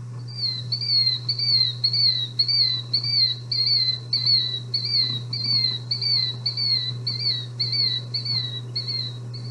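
A Killdeer gives a long run of shrill, down-slurred "dee" notes, nearly two each second, over a steady low electrical hum.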